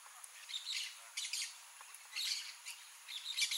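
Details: Blaze-winged parakeet, Pyrrhura devillei, giving quieter harsh squawk bursts, four groups of rasping notes spaced about a second apart.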